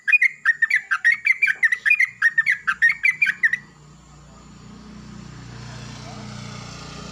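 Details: Yellow-vented bulbul greeting the morning while another bulbul answers loudly, used as a lure to get birds singing: a fast run of about fifteen bubbly, chattering notes over roughly four seconds, then fading into low background hum.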